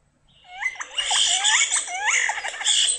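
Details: European starlings, colonial birds that chatter in groups and often nest in stadium lights, give a monkey-like chatter: a rapid, dense jumble of squeaky whistles, slurred rising and falling notes and harsh rattles with no pause.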